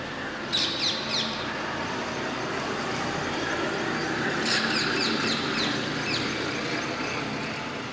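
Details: Rose-ringed (Indian ringneck) parakeets at Masab Tank, Hyderabad, give short bursts of harsh, shrill screeches, one early and a longer run midway, over a constant roar of traffic.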